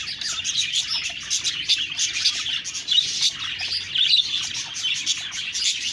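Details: Budgerigars chirping together, a dense continuous stream of high, rapid twittering and warbled chatter with no pauses, several birds overlapping throughout.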